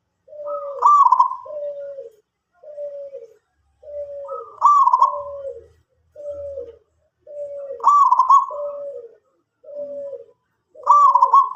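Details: Zebra dove of a local strain singing steadily: strong trilled coo, then a string of mellow, lower, slightly falling notes, the phrase recurring every three to four seconds.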